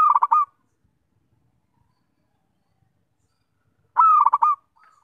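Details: Perkutut, the zebra dove, singing sweetly: a rolling cooing phrase at the start, then silence, then a second phrase of one long note and quick throbbing notes about four seconds later, with a brief faint call at the end.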